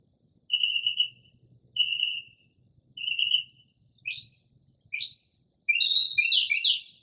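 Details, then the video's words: Northern mockingbird on a quiet early spring night outside a house, copying the calls of various birds: three long, even whistles about a second apart, two short rising slurs, then a jumbled burst of varied chirps. "Northern Mockingbird Mimics Different Bird Calls"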